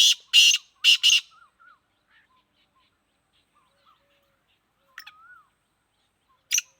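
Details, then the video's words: Black francolin, the Sindhi kala teetar, offered for sale, opens with a rapid burst of three harsh rasping notes, then faint thin chirps from other small birds and a single later scratchy note. "Kala teetar sindhi || black francolin //sweet voice"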